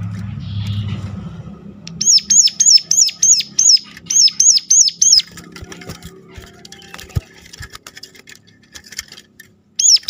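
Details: Sunda warbler giving sharp calls used as a lure to make other warblers sing: about ten rapid high hooked notes in a row, followed by scattered clicks and a final note.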